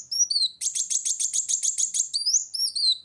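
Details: Kolibri wulung sunbird challenging a rival with song: a few thin descending whistles, then a fast buzzy trill of rapid high pulses lasting about one and a half seconds, ending in sweeping whistled notes.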